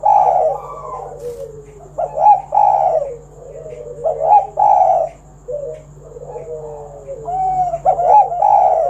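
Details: Spotted dove with a 'kuk 1' style song, meant to coax other doves into calling; overlapping mellow coos, some rising then sliding down, repeated in quick bursts throughout, over a constant low hum.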